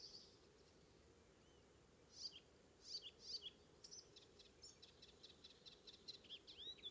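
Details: Icterine warbler on Ameland, Netherlands, north of Hollum, on the morning of 19 May 2016. Scattered short, high chirps and thin whistled notes begin after about two seconds, set against a steady low background hiss.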